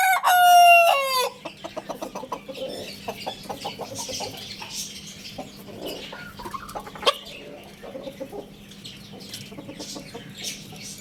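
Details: Lohmann Brown rooster ends a loud descending crow in the opening second, then soft scattered clucks and faint chatter carry on over a low steady hum.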